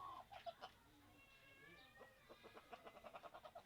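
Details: A chicken starts with a few scattered clucks, then gives a steady series of evenly spaced clucks, about three per second, with a faint hum behind them.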